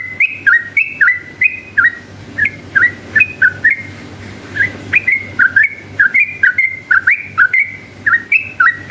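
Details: Yellow-vented bulbul singing nonstop in the long ropel style as a lure to draw rival bulbuls. Continuous fast chain of curled whistled note pairs, high then lower, with brief dips and sharp clicks between phrases.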